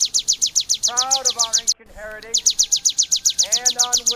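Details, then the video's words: Bar-winged prinia song for training songbirds: sharp, high notes repeated about four times a second, briefly cut off. Lower, curved, harmonic notes come in short bursts over them. "CIBLEK KRISTAL TEMBAKAN SADIS!!! MASTERAN & TERAPI BURUNG JUARA"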